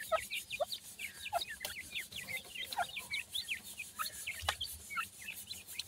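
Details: Partridge chicks (baby pheasant or partridge birds) peep steadily and densely, short bent high notes tumbling over each other, with a single sharp knock near the end.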